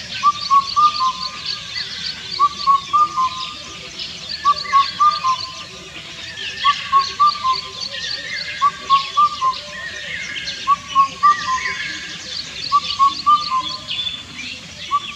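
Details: Indian cuckoo repeating its four-note hooting song about every two seconds, around seven phrases in a row, each note clear and whistled with the final one dropping; other birds chirp and trill faintly higher up throughout.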